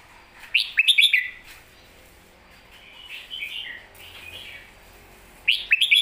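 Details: Red-whiskered bulbul singing its 'master song': two crisp phrases of quick slurred whistles about five seconds apart, with gentle warbled notes in between.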